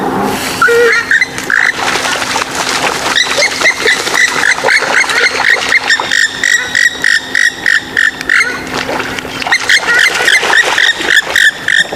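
Swamphen giving harsh, nasal cackles and honks in a rapid, almost continuous stream, over a steady low hum.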